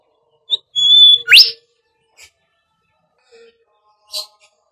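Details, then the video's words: Lure whistle of the Bimoli for training birds: one short high chip, then a long steady shrill note that jumps into a fast rising sweep, followed by a few faint scattered ticks. "SIULAN BIMOLI UNTUK PANCINGAN BURUNG"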